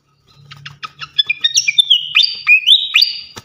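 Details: Loud champion fantail (srikatan kipas) used as training song for caged songbirds. Even series of quick ticking clicks accelerating into clear, ringing whistled notes that rise and fall, some long and sustained.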